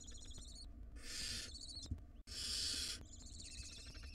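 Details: Barn owl nestlings, wild, in a nest box tugging at a big rodent, give two long harsh hissing screeches with thin wheezy harmonic calls before and after.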